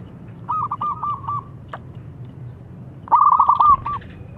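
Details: Zebra dove song, a coveted crystal-voiced bird used as a lure for doves that won't sing: a short phrase of soft bouncing coos, a quiet gap, then a louder, rapid rolling phrase.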